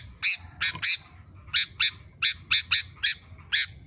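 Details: Sooty-headed bulbul in lively song: loud, sharp, clear chirps delivered rapidly in small clusters, around three a second, over a faint low rumble.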